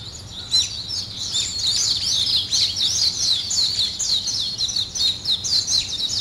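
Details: Early-day bird chorus: bright, high twittering with fast down-slurred chirps, pausing briefly at first, then running steadily over light background hiss.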